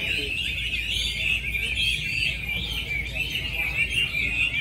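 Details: Competing Chinese hwameis at a singing contest in Mỹ Đình, Vietnam, on 19 July 2020, heard during the final round. A bright, unbroken wall of fluty, warbling phrases rises and falls, with faint murmuring people and low hum underneath.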